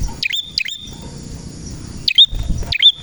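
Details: Male prenjak merah calling: two sharp high twisting chirps, a pause of over a second, then two more, with a low rumbling background throughout.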